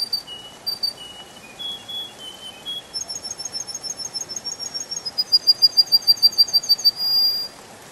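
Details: Canary in a spring forest sings varied high whistled notes at changing pitches, then breaks into a fast, steady, very high rolling trill that swells louder before ending. Faint steady hiss behind.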